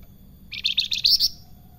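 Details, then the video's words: Short, high salakan phrase of rapid chirps building to brighter, louder whistled notes near the end, lasting under a second; the bird sings actively with sweet flute-like notes. "Salakan Gacor Besetane dan sulingan merdu pisan"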